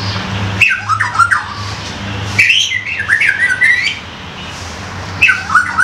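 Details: Juvenile white-rumped shama from the forest, used as a tutor bird, delivering rich warbling phrases of twisting whistles and trills in two bursts, then a short third phrase, with a low steady hum in the background.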